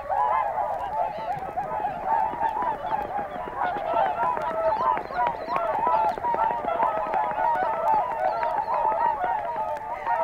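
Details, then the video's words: Whooper swans in a field recording from Matsalu: a flock giving a continuous overlapping chorus of loud, nasal, trumpeting honks, with no pauses. "Whooper Swan"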